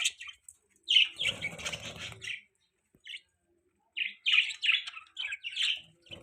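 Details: A budgie chirps in two bursts of buzzy, high, rapid notes separated by a quiet gap, with some rustling under the first burst.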